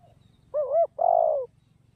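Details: Spotted dove giving a single close coo phrase: a short wavering note, then a longer, steady, gently falling coo. The background is quiet apart from a low hum.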